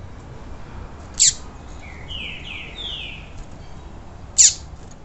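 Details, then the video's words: A Double-collared seedeater (coleiro tui tui), in a warm-up recording meant to stimulate a post-moult bird to sing, gives four slurred, falling whistles framed by two sharp, loud downward chips about three seconds apart. "ESQUENTAR COLEIRO FRIO POS MUDA"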